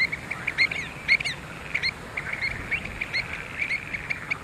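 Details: Pied avocet recorded at Skanör and Falsterbo in June 2015, giving sharp, clear, high piping notes, about a dozen in under five seconds, some doubled, over faint low background noise.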